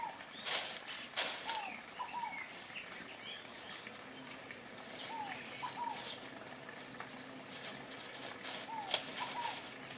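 Sayaca tanager giving a few thin, high, squeaky notes at irregular intervals, over lower whistled chirps from other birds and steady background noise.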